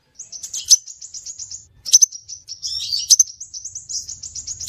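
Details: Scarlet minivet call used as a lure: fast trills of thin, high notes, each run capped by a piercing chirp, with a slurred, jumbled twitter around the middle.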